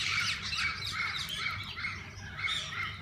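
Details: Several kinds of parakeets calling together inside a walk-in aviary, producing a steady wash of scratchy, overlapping chirps that pulse in rough, uneven bursts.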